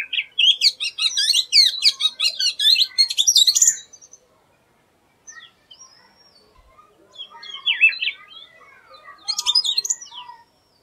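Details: Unusual song of an Oriental magpie-robin (Bengali doyel): a long, dense burst of rapid, high, chattering and whistled notes, then silence, then two shorter scratchy, warbling phrases with faint thin whistles in the background.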